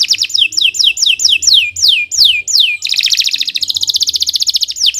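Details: Canary singing at length for a tutoring recording for young and non-singing birds: repeated high whistles sliding steeply down, followed by a long, dense, rapid rattling trill that holds steady to the end.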